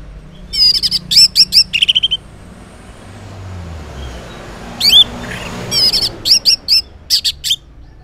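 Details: Orange-headed thrush song in the morning, used as a lure so silent males reply: bursts of rapid, buzzy trilled notes in quick series, separated by pauses, over a rumble of passing traffic.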